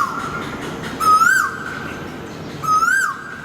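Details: Two piercing, rising whistled calls from an Asian koel just outside a bedroom window before dawn, about one and a half seconds apart, over a steady low hiss.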